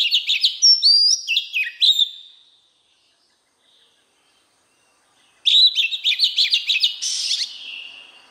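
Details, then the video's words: Oriental magpie-robin wild-voice song: a phrase of varied whistles and descending slurs, a three-second pause, then a dense rapid stutter of chipping notes ending in a harsher, buzzy flourish. "Chòe Than hót Giọng chuẩn | chăm sóc chim hót | Chích Choè Than giọng rừng kích bổi"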